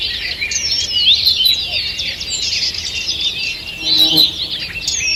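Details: Several forest birds singing at dawn on 2 June 2023, a busy tangle of high chirps, trills and quick sliding whistles running continuously with no pauses.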